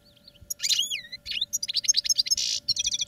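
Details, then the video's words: Caged European goldfinch under training sings a lively phrase: a soft opening note, drawn-out slurred whistles, then rapid tinkling twitters and a buzzy burst, with a faint steady hum behind. "Goldfinches Singing in CAGES for TRAINING"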